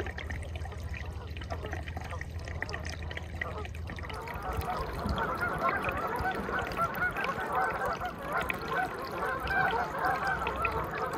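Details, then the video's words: Canada geese gathered on a calm lakefront in Aroostook County, Maine, during the November migration; scattered honks at first, then a loud, steady chorus of many overlapping honking calls from about five seconds, with faint water sounds. "Canada Geese Migration"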